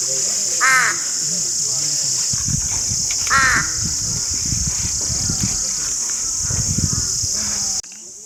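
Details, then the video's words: Two loud, rasping crow caws a few seconds apart, followed by low rumbling noise and a persistent high hiss. "Crow Birds (Ravens) Sounds Crowing: To Attract Crows"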